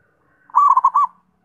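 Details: One clear zebra dove phrase: four or five quick, rolling coo notes run together in under a second, with a faint low hum.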